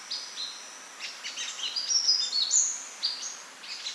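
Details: In natural habitat, a sunbird pours out a busy, high-pitched twittering song of short tinkling notes with barely a pause.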